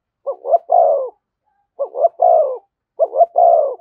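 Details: Cooing in the 'thúc gù' manner from a spotted dove near a decoy: three matching phrases, each two quick rising coos then one longer falling coo, spaced about a second apart.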